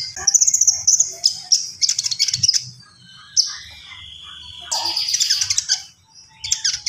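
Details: Common iora singing energetically: high, thin whistled notes and rapid chattering trills, interrupted by buzzy bursts and a long, steady, lower whistle near the middle, with short pauses between phrases.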